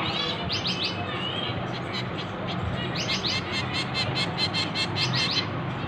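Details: Finch chicks calling while being hand-fed: quick, high, wavering cheeps in clusters, a brief lull, then a long insistent volley of rapid begging chirps.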